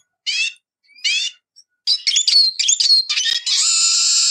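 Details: Eurasian siskin: two brief chirps, then a quick burst of jumbled twittering and slurred whistles that ends in a drawn-out, wheezy buzz held for nearly a second.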